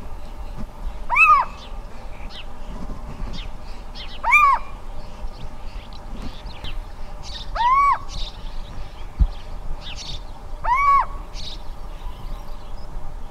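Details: A little owl in the Alentejo, Portugal, gives its advertising call, a mewing, rising-then-falling 'kiew' repeated every three seconds or so; sparrows and a European roller can also be heard.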